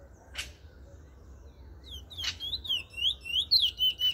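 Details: Bullfinch in Trinidad: after two brief clicks, a run of clear whistled notes begins midway, slurred up and down and repeated quickly to the end over faint background hiss.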